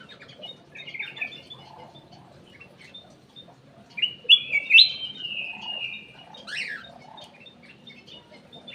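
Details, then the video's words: Cucak emas, the ruby-throated bulbul, giving lure song in an aviary: soft scattered chirps, then a loud run of looping whistles trailing into a long, level tone, and a sharp downward-sweeping note. "PANCINGAN CUCAK EMAS \ KUTILANG EMAS"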